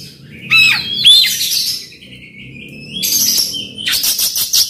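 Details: Oriental magpie-robin song with harsh fill phrases, meant to provoke a silent bird: a sharp whistled swoop, a long steady high tone, then rasping, buzzy chatter breaking into clipped rattles.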